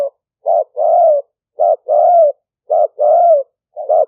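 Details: Fierce-strain decoy spotted dove in 'lio tan' style, Roi Et province, Thailand, used to call in wild doves; short coo followed by a longer drawn coo, pattern repeated three times, clean background.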